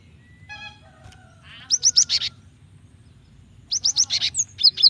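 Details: Female cinereous tit calling the male, used to encourage singing: two bursts of rapid, high, buzzy chirps, preceded by a softer, lower tonal whistle from another sound source.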